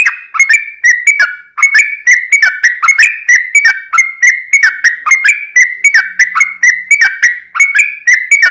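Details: Vigorously singing yellow-vented bulbul, used as a lure for other birds. Continuous series of gurgling, down-slurred phrases repeats rapidly and evenly.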